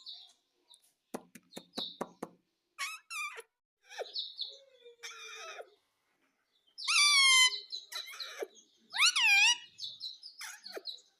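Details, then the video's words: Pet parrot that says "mummy mummy": a run of sharp clicks and short chatter first, then two loud, curving, nasal harmonic phrases near the end. "Talking parrot - Mummy Mummy Bolne Wala Tota"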